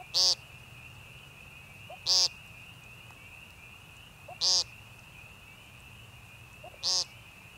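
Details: American woodcock, or timberdoodle, peenting at Young Conservation Area in Missouri's northern Ozarks on 28 March 2015: four loud, nasal, buzzy peents about two seconds apart, each led by a soft low note, over a steady high drone.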